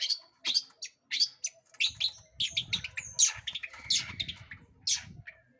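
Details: Long-tailed shrike song meant to provoke other birds into singing: a dense jumble of sharp chips, whistles and harsh notes, with a low rumbling background in the second half.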